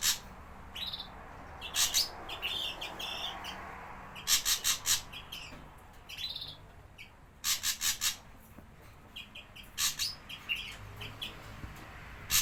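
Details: Javan ashy drongo recording used as a lure for wild birds: a busy, varied medley of short whistles, nasal notes and loud grating chatter bursts, delivered almost continuously.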